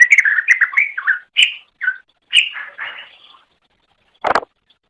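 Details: Greater green leafbird singing in a recording made to train pet birds: quick chattering whistled notes, then separate slurred phrases with gaps, and a short harsh burst near the end.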